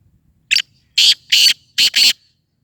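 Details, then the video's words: Loud, rasping call of a black francolin: a brief lead-in note, then two long harsh bursts and two shorter ones in rapid rhythm, all grating and buzzy, with little else audible. "کالا تیتر کی آواز"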